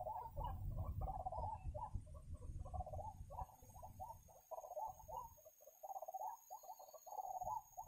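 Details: A white-breasted waterhen, local name ruak-ruak, gives a rapid, uneven stream of short croaking notes, some running together into warbling bursts. The clip was recorded during trapping, and heavy low rumble fades after the first half.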